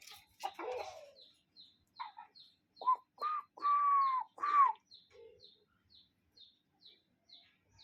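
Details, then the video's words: Cuckoo calling outdoors: a scratchy burst opens, then a series of whistled notes builds to one long, level note and a falling one. Faint, regularly repeated high chirps from another bird continue throughout. "Relaxing Cuckoo Bird Sound in Nature"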